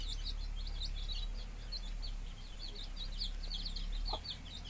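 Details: Fifteen-day-old chicken chicks in a village, peeping continuously: a dense stream of thin, high chirps overlapping from many birds, over a steady low hum.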